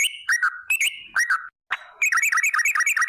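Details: Lure song of a yellow-vented bulbul (trucuk) in the long 'ropel' manner: several slurred falling whistles, a brief gap, then a tight fast chain of bouncy repeated notes to the end.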